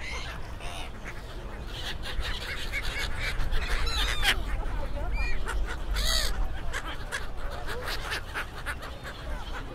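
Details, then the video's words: Hundreds of gulls, perhaps near 1000, crowding at Suk Ta Bridge pier outside Bangkok, Thailand, while people feed them; a dense chorus of overlapping mewing and squealing calls over a constant roar of crowd chatter and low rumble. "1000 Seagulls Crowds"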